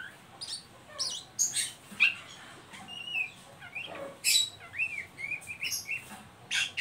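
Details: Oriental magpie-robin ngeriwik call, a lure to prompt young birds to sing: rasping bursts mixed with short looping whistles, delivered unevenly over a faint background hiss.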